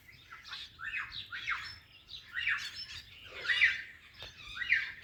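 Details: Ringneck parrot talking while greeting an Alexandrine parrot, giving loud, grating syllables in quick irregular groups, some longer and rising in strength near the middle, with a brief click between phrases.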